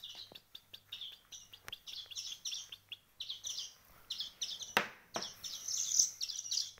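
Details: Young bird chicks after one week of hand-feeding: a busy run of short, high, scratchy chirps, several birds overlapping with uneven rhythm, broken by a sharp knock near the end.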